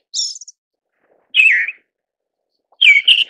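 An Eyebrowed Thrush gives three thin, high, slightly buzzy call notes about a second apart, the later ones dropping in pitch. No other sounds are heard.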